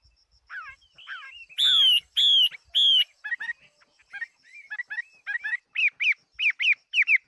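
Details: Chinese hwamei of the fighting type delivers varied song: loud ringing whistled notes repeated three times, then a chattering series of short slurred phrases and repeated rising whistles. Faint high ticking is heard behind it.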